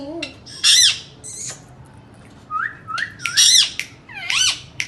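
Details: Indian ringneck parakeet sounds: piercing screeches broken by short level whistled notes, then more harsh rising squawks, all high and abrupt over a low background hum.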